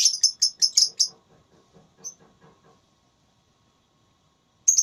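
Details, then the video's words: Lovebird in a singing contest, with a quick series of shrill chirps, soft faint clicks, a pause, then another loud shrill burst. "Lovebird Tarung Suara"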